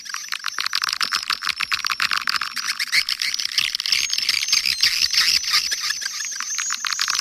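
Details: Swiftlets calling and roosting, recorded in Kampar, Riau: a dense, continuous chatter of high, sharp twittering chirps from many birds overlapping, with rapid clicking pulses running throughout.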